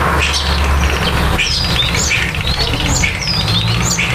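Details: Starlings at their nest during nesting and nest building give a busy run of slurred whistles, squawks and chatter, the notes overlapping at a quick pace, over a steady low rumble.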